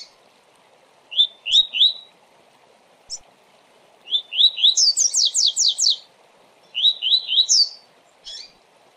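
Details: Coleiro singing a fast Tui Tui for training: paired upslurred whistles, then a longer phrase with a high rattling trill of about six notes, and more rising whistles after it, over a low hiss.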